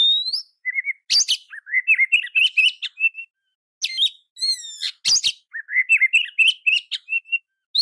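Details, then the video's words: Training song of an oriental magpie-robin, meant to provoke other birds into replying: varied chattering phrases, sharp clicks and buzzy bursts mixed with quick warbled whistles, including a rapid series of rising upslurred notes, loud and continuous. "Masteran & Terapi Kacer Bongkar Isian Kacer Manapun Bakal Nyaut Emosi Dan Gacor"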